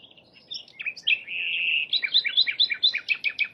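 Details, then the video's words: Wild flycatcher (sikatan Londo) singing in nature: a thin whistled trill gives way to a fast run of sharp, high chirps that rise and fall, growing louder toward the end. "kicauan burung sikatan Londo, gacor di alam"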